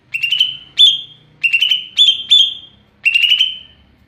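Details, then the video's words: Greater green leafbird, cucak ijo, delivering ngeplong song: six loud ringing whistled phrases, each a buzzy-edged steady tone held briefly, spaced roughly half a second apart. "Burung cucak ijo NGEPLONG2.."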